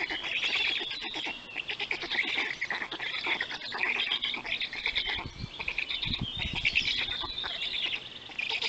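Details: Nest-camera recording of black stork at feeding time in Poland, 31 May 2020, 3:55 p.m.: harsh, rapidly pulsed calls in uneven bursts, wavering in pitch, with a few low thumps.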